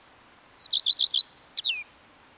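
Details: Common redstart song: a clear high introductory note followed by a quick run of four or five repeated chirping notes, ending in a brief jumbled twittering flourish with a falling whistle, against a quiet background.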